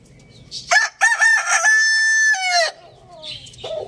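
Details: Rooster crowing in the morning: a loud harmonic crow with a few choppy opening notes, then a long sustained note falling slightly at the end, with faint background chirping from small birds.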